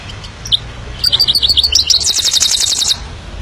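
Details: Himalayan goldfinch giving a lively high twittering phrase of bright notes that runs into a fast, even buzzy trill lasting about a second.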